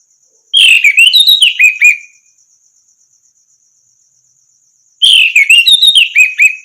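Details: Training song of an orange-headed thrush, used to get other birds singing: two long, lively phrases of fluid whistles and chattering notes, each about one and a half seconds, with a steady high buzz in the pauses.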